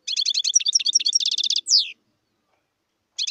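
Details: Wild European goldfinch delivering a rapid sequence of high tinkling twitters and a buzzy trill, ending in a harsh downward slur, followed by silence and the start of another phrase.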